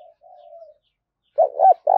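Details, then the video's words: Spotted dove used as a decoy, calling aggressively to provoke rivals. A faint, distant drawn-out coo comes first, then a loud close phrase of stuttered notes and a long coo, cut off at the end. "Tiếng chim cu gay thúc bổi rất hăng và máu/ cu moi chuan kich"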